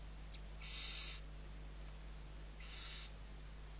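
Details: Feeding time for six barn owl owlets at the Riet Vell reserve on Spain's Ebro Delta, November 2023; two hoarse hissing screeches separated by nearly two seconds, with low background hum.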